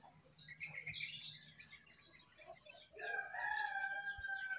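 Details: Jongkangan perched atop its cage delivers a lively mixed song of shrill squeaks and short whistles, then a longer rising run of rich, harmonic warbling notes in the second half.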